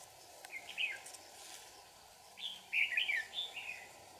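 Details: Red-whiskered bulbul during trapping at Kim Bôi, Hòa Bình, a bird used for fighting song; two bursts of short warbled phrases near the middle and end, bright rising and falling notes over a steady low hum.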